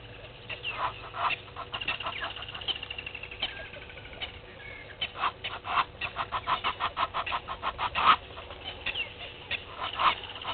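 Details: Red-billed hornbill foraging at a waterhole on Djuma Game Reserve, Sabi Sand, South Africa, 20 March 2021, early morning: a long run of hard, evenly spaced clucks builds from the middle onward, with faint background birds.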